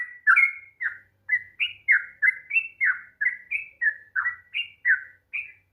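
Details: Sooty-headed bulbul song used to provoke a reluctant bird into singing: a rapid series of short slurred whistled notes, rising and falling, about three per second, clean with no other sounds.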